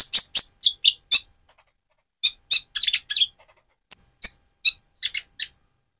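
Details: Van Hasselt's sunbird in speckled plumage singing loudly to provoke another sunbird; thin, high-pitched squeaky chips delivered in quick bursts with a pause of about a second midway, then scattered single notes.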